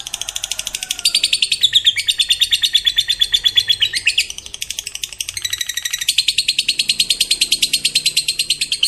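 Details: Fighter lovebird singing ngekek panjang, the long trill said to set other lovebirds singing: nearly nine seconds of unbroken, rapid, shrill chattering notes, pitch shifting slightly between stretches with only a brief pause midway.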